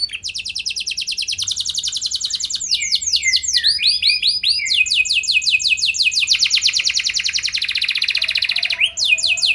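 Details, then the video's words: Chattering canary used as a lure to draw responses from other canaries, pouring out long continuous trills that shift speed and pitch, with a brief section of looping notes midway. "Burung Kenari Kondisi Apa Saja Bisa langsung Respon Dengan Pancingan Kenari Gacor Satu Ini"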